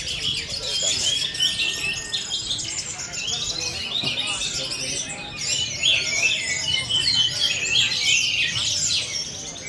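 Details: Orange-headed thrush in sustained teler singing ahead of a songbird competition: a loud, energetic cascade of high twittering, whistles and buzzy trills running continuously for the whole stretch.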